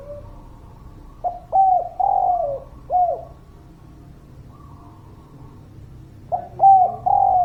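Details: Spotted dove cooing as a lure to get quiet birds singing. A phrase of brief hollow coos, a long wavering coo and a falling note, then a pause with faint bird chatter before the phrase starts again.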